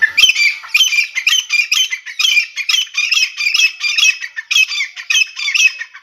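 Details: Wild female grey francolin, locally deshi titar, used as a hunting call: harsh, squawky chattering notes in quick bursts, about three per second, continuing steadily for six seconds with no other sounds.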